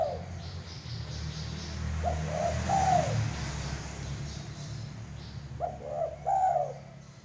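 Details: Zebra dove giving two separated phrases of soft, bubbling coos, each a quick run of low mellow notes, over a steady background rumble and hiss.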